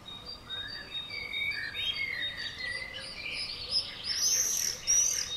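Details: Several common swifts screaming in "banger" flights around a house on June 5th 2011: shrill, buzzy screams that overlap and slide between high pitches in rapid bursts, over a faint steady hum.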